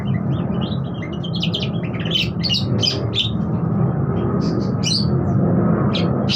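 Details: Budgerigar chatter of scattered sharp chirps and brief squeaky notes, some in quick clusters, over a loud, constant low rumble.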